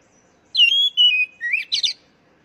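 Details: Oriental magpie-robin song, played so captive birds will sing. Clear whistled tones hold, then drop lower, and a rising, wavering slur leads into two brief, dense bursts of rapid high twitters.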